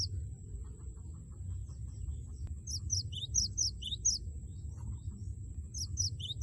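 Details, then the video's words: Cinereous tit known as gelatik batu, singing to goad a rival: high, clipped 'wucit wucit' note pairs in two bursts, fainter than the heavy low background rumble. "Gelatik batu gacor suara lantang wucit wucit merangsang lawan agar ikut bunyi gacor"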